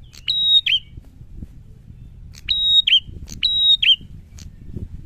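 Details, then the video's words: Prinia delivering its bold song: a flat high whistle opened by a sharp tick and closed by a swooping drop, given once, then twice in quick succession, over a light noisy background. "SUARA PRENJAK GACOR LANTANG MENANTANG"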